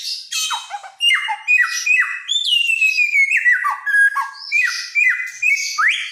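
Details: Vigorous helmeted friarbird song from Nusa Tenggara, a bird said to mimic many calls: a rapid string of short squawky, nasal notes, each dropping in pitch, about two per second, with brief loud whistled slides among them.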